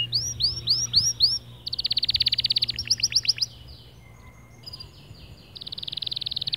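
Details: Singing male white canary, meant to spur other birds: looping upswept notes, a fast buzzy trill, slurred phrases, a brief pause with a thin steady tone, then another rapid buzzing trill; low hum throughout.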